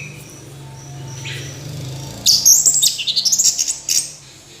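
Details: Orange-headed thrush song starting after a quiet stretch with a low hum, then a rapid burst of high chirps and a run of quick repeated notes.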